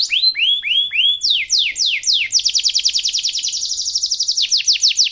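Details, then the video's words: Canary song for teaching young canaries: several slow rising-then-falling whistled notes, then sweeping slurs, breaking into a fast, dense high trill with a brief lower-pitched change near the end. "kenari gacor ngerol panjang cengkok mewah suara kesukaan dan gampang di tiru sama kenari muda"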